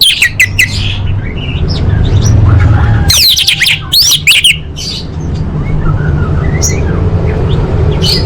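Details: Calling female orange-headed thrush, played to prompt quiet males to sing: a few sharp high chirps at the start, then a loud cluster of rapid shrill notes midway, with steady low rumbling noise throughout.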